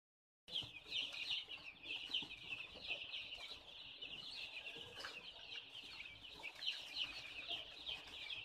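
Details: Baby chicken peeping: continuous high, shrill cheeping from chicks, many overlapping notes without pause, over a low background hiss.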